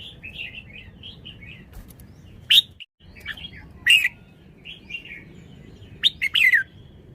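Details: Red-whiskered bulbul delivering loud, sharp, chirpy phrases at intervals, with a softer run of quick warbled notes in the background, perhaps from another bird, and a brief gap of silence partway through.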